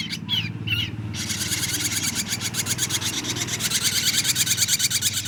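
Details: Young ashy drongo at 23 days: a few whistled chirps open the sequence, then a steady harsh, buzzy rasping pulses rapidly and grows louder, with a low rumble underneath.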